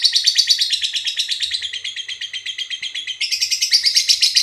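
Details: Long shrill ngekek chatter of a lovebird, meant to lure and provoke other lovebirds: a rapid pulsing trill that dips slightly, then jumps back higher near the end, with faint low knocks.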